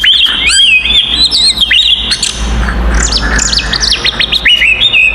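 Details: Fighting song of an oriental magpie-robin, meant to provoke rival magpie-robins: rapid, loud sequence of shrill whistles, squeaky slurred notes and fast descending chirps, with a faint low hum beneath.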